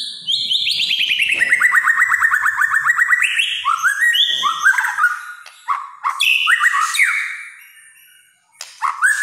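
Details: White-rumped shama singing kretekan, a song style said to make other shamas agitated: a fast, rattling series of about thirty rapid notes gliding downward, then varied rising whistled phrases and sharp chips.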